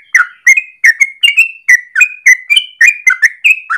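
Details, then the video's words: Yellow-vented bulbul in rolling morning song for luring or training birds: crisp descending whistles followed by level sliding notes, about a dozen in under four seconds. "1 jam Trucukan gacor ropel panjang pagi hari"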